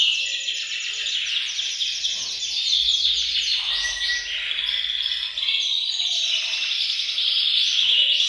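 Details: Several caged canaries singing together in a bird room to stimulate males to sing; dense, continuous high warbling with rapid trills and rolling phrases overlapping throughout, a few clear whistled notes standing out.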